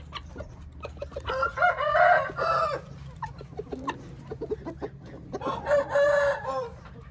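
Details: Hint roosters give two strong crows about four seconds apart, each a harsh, layered cry near one second long, with clucking and clicks in between.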